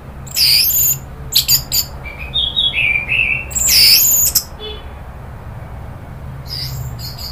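An orange-headed thrush bursts out in harsh, scratchy chattering phrases broken by short thin whistled notes. The bird sounds agitated, with a quiet indoor hum beneath.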